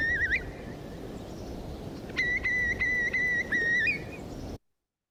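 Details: Eurasian Curlew, Europe's largest wader, calling in winter; a brief wavering whistle, then a run of five drawn-out, clear whistled notes at nearly the same pitch, each slightly inflected upward, stopping abruptly; faint background hiss.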